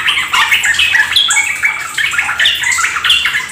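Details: Rapid 'ropel gacor' song of yellow-vented bulbuls: tumbling, liquid chatter with sharp rising whistles scattered through, several birds overlapping in a continuous bright stream.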